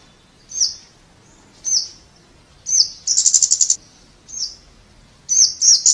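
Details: Thin, piercing single notes from a Scarlet-backed flowerpecker, roughly one per second, interrupted by a brief rapid trill and ending in doubled ticks.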